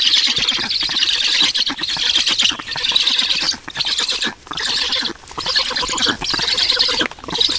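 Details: Estonian black stork nest at feeding time on a June morning in 2019: loud, raspy, hissing chatter in bursts of one to two seconds, separated by short quieter gaps.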